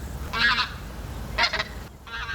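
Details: In autumn Korean countryside in Gimpo, where migratory birds pass in spring and autumn and rest on flooded paddies, an unidentified migratory bird gives three loud, nasal, goose-like honks in quick succession over about two seconds, with a low rumble behind.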